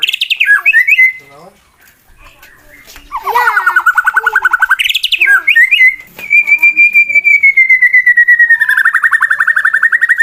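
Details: White-rumped shama bred for song contests, calling to provoke rival birds into fighting: swooping whistles, a pause, a fast rattling trill, then a long sustained whistle slowly falling in pitch while trembling.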